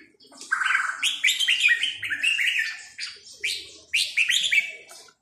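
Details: Red-whiskered bulbul song in the counted-notes style: a series of clear, stepwise whistled notes in a rolling phrase, then a pause and a second shorter run of bright slurred notes.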